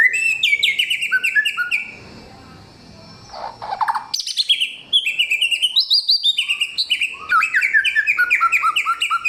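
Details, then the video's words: Samyong with a loud, clear, many-voiced song using forest-bird material: fast chattering runs of high notes, a brief rough pause, then rapid rising and falling twittered phrases, nearly three notes per second. "Inilah real samyong 1001 suara... Suara kencang, jernih, materi 1 hutan"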